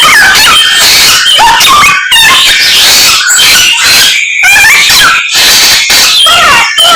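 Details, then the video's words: Samyong singing constantly, mimicking many other birds' songs: loud, dense run of varied whistles, sharp upslurs and downslurs, chattering trills and buzzy notes, broken by brief pauses near two and four seconds. "Samyong Gacor full isian Burung Sak Kebon Dadi siji"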